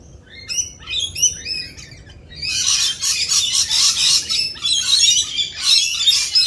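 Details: In mating season, rainbow lorikeets chatter in high, rapid shrill notes, then a dense, continuous screeching wash from many birds at once.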